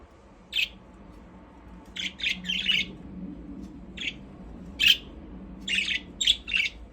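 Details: Aviary budgerigars at play make brief raspy high chirps in small groups separated by short gaps, with a soft steady background hum.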